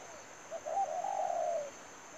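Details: A single long mellow coo from a spotted dove kept as a trapping lure, starting with a brief note and swelling into a sustained, slightly wavering tone that fades downward, with a faint high electronic whine throughout.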